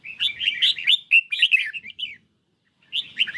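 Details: Caged red-whiskered bulbul, singing fiercely in a duel against a phone recording on a partly sunny day. It gives a dense run of quick warbled notes, falls silent for under a second, then resumes.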